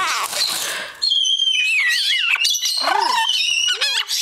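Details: A pet female Hahn's (red-shouldered) macaw sitting in a cereal box blows squeaky kisses, says Hi, Hey Baby and I love you in high wavering phrases, and laughs, after rough chatter; lovebirds and a Moluccan cockatoo call in the background.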